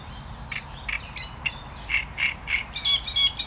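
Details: Great reed warbler song building from spaced, creaky single notes into a faster, louder chatter of harsh, repeated syllables.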